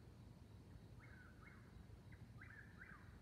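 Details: Two eastern whip-poor-wills dueling at night, 22:42 on 19 May 2021 near Seneca, South Carolina, 69°F: faint, distant whistled three-part phrases repeated in quick succession over a steady low rumble.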